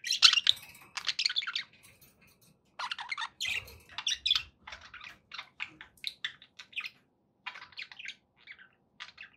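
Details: Budgerigars kept as pets chatter in scratchy squawking bursts at first, then softer, spaced chirps and clicks toward the end.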